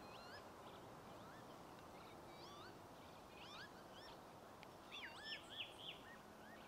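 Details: Several northern lapwings (Vanellus vanellus) at Ljubljansko barje on 22 April 2024 give slurred, wheezy 'pee-wit' whistles that bend up and down, overlapping; a closer bird calls three times near the end over steady rural hiss.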